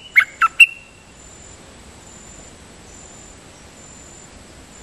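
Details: Dok taeng bird, decoy song (siang to). Three rapid sharp whistled notes open, the last trailing into a thin steady whistle. Quiet follows, with a faint high hiss, and one note clips in at the very end.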